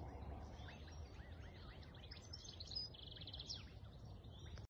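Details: Black swan cygnets on Hart's Creek; a stream of soft arched peeping notes repeated in quick succession, with a brief buzzy rattling trill and steady low outdoor rumble beneath.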